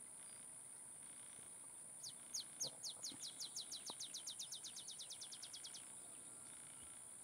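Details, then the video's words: Olive sparrow song from Laguna Atascosa National Wildlife Refuge near Los Fresnos, Texas, 30 May 2015: sharp high notes start slowly, then speed into a rapid bouncing trill of about twenty-five notes lasting nearly four seconds, with constant background hiss. "Olive Sparrow singing"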